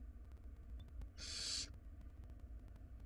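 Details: In a wild barn owl nest box, nestlings tug at a very large rodent; a single harsh, broadband hissing screech of about half a second, with faint scratches and low hum around it.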